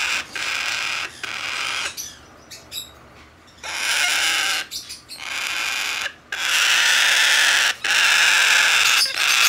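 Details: A hand-reared, domestically bred blue-eyed cockatoo chick, 14 September 2019, alternates loud raspy screeching bouts with quieter stretches holding soft scratchy noises, then ends with long, sustained harsh cries.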